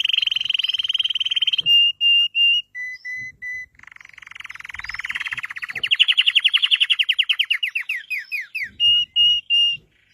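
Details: Belgian red canary song with a fast trill, paired flat whistles at two pitches, a long rolling trill rising then breaking into separate falling notes, and closing whistles.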